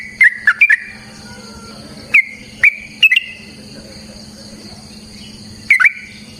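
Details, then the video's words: Yellow-vented bulbul fighting song used to provoke singing: scattered pairs of sharp, slurred chirps separated by pauses of one to two seconds, over a steady low hum. "Suara Burung TRUCUKAN gacor TARUNG ROPEL PANJANG pancingan trucukan"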